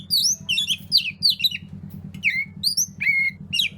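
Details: Oriental magpie-robin (kacer) song meant to get reluctant birds singing: dense, fast chatter of squeaky, twisting whistled notes and sharp chirps, high-pitched and overlapping, over a steady pulsing low hum throughout.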